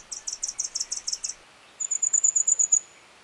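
Red fody giving very high, thin notes: a fast buzzy run of about eight ticks, a short pause, then a clearer whistled series of about nine.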